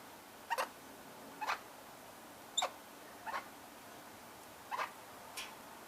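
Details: Male Australian king parrot in a backyard in Canberra, Australia, 2024, with the female in the background: six short, sharp double-pulsed calls spaced roughly a second apart over steady background hiss.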